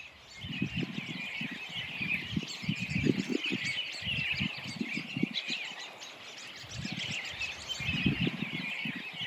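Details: A large flock of American Robins, 40–50 or more, in a ghost town in northwest Minnesota near Glacial Ridge NWR in early April, while snow falls after a snowstorm, feeding on crab apples. Dense, overlapping chatter of high chirps and clucks over low wind or handling rumbles.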